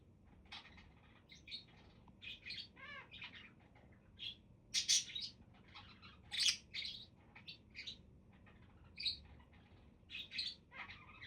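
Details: Budgies twitter and warble in a dense irregular stream of short squeaks, buzzy notes and a few loud harsh squawks, with a soft low hum.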